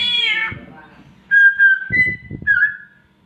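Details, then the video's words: Myna known locally as samyong mimicking a mating cat: one falling meow-like wail, then a series of clear, bright whistled notes, some level and some slurred, with soft thumps in the background. "SAMYONG MENIRUKAN SUARA KUCING KAWIN"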